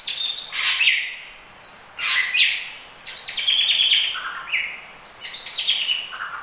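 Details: Drongo song, mixing crested and ashy drongo singers: harsh rasping bursts alternate with sliding whistles that fall from high to lower pitch, phrases recurring about every second.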